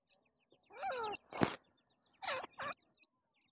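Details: Black francolin chicks, known locally as Dhakani or Irani teetar, giving brief bursts of wavering, chirpy calls that rise and fall in pitch. A sharp broadband knock sounds between the two pairs of call bursts.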